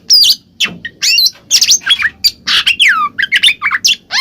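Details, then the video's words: Oriental magpie-robin (kacer) in the 'ngeplong' song style, used as a lure to make a silent bird answer: loud, varied whistled notes, sharp upslurs and falling slides, in rapid bursts with short pauses. "suara burung Kacer NGEPLONG kacer bisu pasti langsung nyaut seketika"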